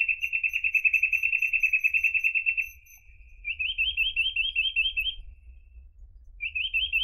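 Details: Reed parrotbill (Paradoxornis heudei), a rare, endangered species that lives in dense reedbeds, song: a fast, even trill of high notes for nearly three seconds, then quicker rising chirps in short bursts, over a low rumble.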